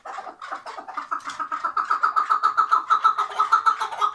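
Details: Chukar partridge tied in place in Şırnak, Turkey, building from scattered notes into a regular, strongly rhythmic chuk series at about three and a half per second, growing louder toward the end.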